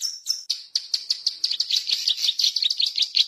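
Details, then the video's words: Cisticola, a call used for luring wild birds: a few spaced high chips that speed up into a jumbled, buzzy chatter. "suara burung Cici Alang Alang gacor siang malam"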